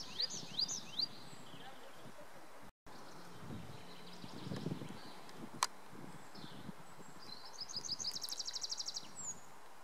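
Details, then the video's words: A tree pipit sings in early June 2019 at the Wildewiese ski area on the Schomberg, Sauerland, Germany: a few high, thin sweeping notes, then a quick trill of about a dozen high notes, over low rumbling and rustling. "Baumpieper (Anthus trivialis) singt"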